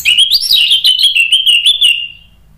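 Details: Orange-headed thrush singing to prompt other birds to answer: a single continuous, loud warbled phrase of rapid pulsing whistles that rises briefly then levels and fades.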